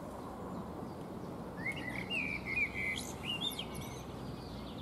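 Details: A blackbird preens and sings on a fruit tree: after a quiet start, a run of rich, slurred whistled notes, then scratchy high twittering flourishes, with steady noise underneath.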